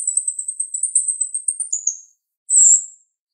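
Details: Female jalak rio-rio starling, sharp voice: an even, very high staccato trill slides into a lower slurred note, followed after a short pause by a single loud bright burst.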